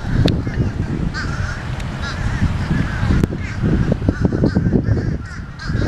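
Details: Noisy fish crows, their clipped nasal caws repeated irregularly amid dense low-pitched thudding and crackling noise.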